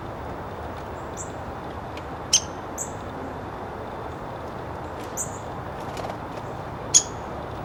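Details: Female downy woodpecker returning to a nest box at dusk to roost, calling outside before going in to sleep. About five short, sharp, very high notes are spaced irregularly over eight seconds against quiet background hiss.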